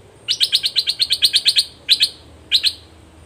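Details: Red-whiskered bulbul used as a decoy bird to lure a wild bird, which answers aggressively; a fast run of about a dozen sharp, bright chirps, then a pair of notes and a final pair after short pauses.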